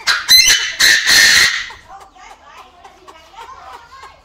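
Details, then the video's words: Male Chinese francolin crowing in an aviary: a loud, harsh burst of three grating, ringing notes in the first second and a half, then fading to faint scattered chirps and background twittering. "Tiếng Chim Đa Đa Gáy"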